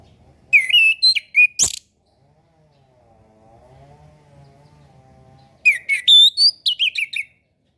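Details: Two lively bursts of orange-headed thrush song, several seconds apart, each packed with fluty whistles and sharp chips. A faint low hum fills the quiet gap. Used to train young birds learning to sing and to stimulate birds that rarely sing.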